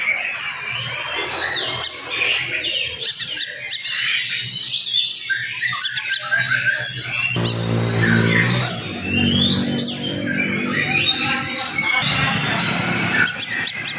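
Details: Oriental magpie-robin singing energetically in the morning, a fast, dense song meant to rile other magpie-robins. Busy stream of varied whistles, sweeps and chirps, with a brief low buzzy harmonic sound in the middle.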